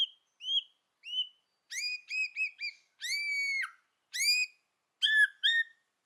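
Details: White-rumped shama giving clear whistled notes, single then paired and held, rich ringing tones repeated with short gaps, as part of a forest-style song.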